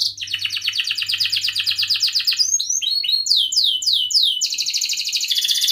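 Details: Canary song used to prompt other canaries to sing, opening with a long fast pulsed trill, then looping whistled sweeps, then another rapid trill.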